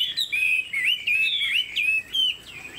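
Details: Rich, flutelike whistling from a pet Chinese hwamei, with smooth rising and falling slurs linked into flowing phrases and short breaks between them.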